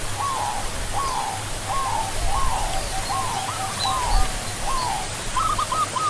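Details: Perkutut, the zebra dove or barred ground dove (Geopelia striata), giving a string of quick soft coo notes. Each note dips, and they run in a near-continuous cooing sequence over a hum and background hiss.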